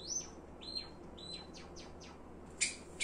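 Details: Pet Java sparrow singing: flat high whistled notes and a string of quick downward-sliding ticks, then two abrupt sharp chips near the end.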